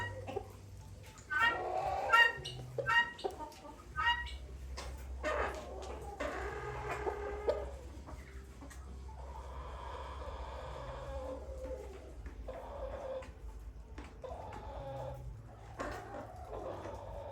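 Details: Extremely territorial guinea fowl with a burst of harsh, rapid chattering notes in the first seconds, then quieter scattered calls, all over a persistent low hum.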